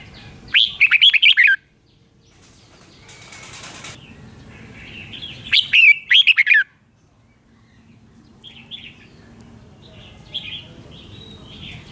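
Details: Red-whiskered bulbul singing, played to train caged birds or lure them into traps: two cheerful warbled phrases about five seconds apart, a brief rustle between them, then quieter distant whistles over soft background noise.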